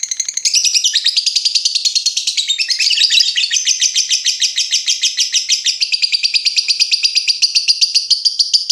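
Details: Long lovebird ngekek trill for training other lovebirds: an unbroken, fast, shrill chatter that wavers in pitch near the start and then settles into a steady, high, rattling run.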